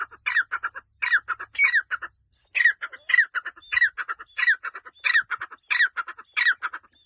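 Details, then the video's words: Partridge calling in a forest, a loud, harsh, scratchy series of clustered chattering notes given in bursts roughly every half second to second, with brief pauses between phrases and no other clear sounds. "The partridge makes a melodious sound with the bird in the forest"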